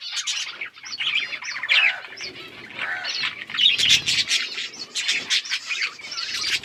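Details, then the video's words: Budgies chirping in a group, recorded October 27, 2023: dense, overlapping high chattering warbles and short tweets, continuous with brief bursts of louder squawky notes. "Budgies chirping sounds"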